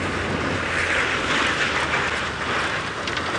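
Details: Loud vehicle engine noise mixed with wind buffeting the microphone, and no animal voice.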